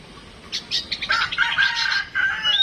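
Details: Home-kept Oriental magpie-robin during a mental test produces a dense, scratchy chatter of rapid harsh notes with buried tonal whistles, ending in a thin high whistle.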